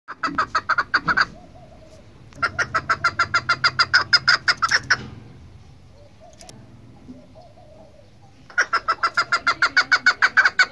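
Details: Female chukar partridge, a sound used for hunting: three series of rapid, rhythmic clucking notes, each burst lasting two to three seconds, separated by short pauses.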